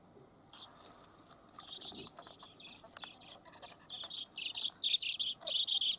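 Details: Talking pet lutino budgerigar mimicking human speech, fumbling a phrase of affection then scolding itself; rapid scratchy, buzzy chatter of many short syllables that grows louder and denser toward the end, with a few faint low sounds early on.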